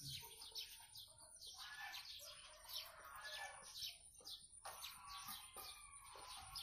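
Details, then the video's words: Blue-crowned hanging parrot singing actively, a dense run of high, thin chirps and twitters fired in quick irregular bursts, with a few louder clusters near the end over faint background hiss. "Serindit gacor cor"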